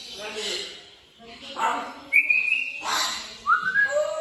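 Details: African grey parrot talking: breathy, speech-like syllables followed by two clear whistled notes, one level and high, the next rising then flattening, then a lower tone.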